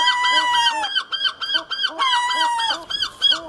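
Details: Herring gull in the breeding colony gives a loud, rhythmic series of short, nasal, arched yelping notes, about three per second, with a drawn-out note at the start and another midway through.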